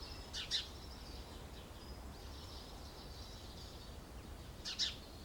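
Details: Short-toed treecreeper (Certhia brachydactyla) pair lining a nest box with pine needles and twigs, Aleppo pine woodland with kermes oak and mastic near citrus groves, Alzira, Valencia, 24 February: two thin, very high, sharp calls about four seconds apart over low rumble.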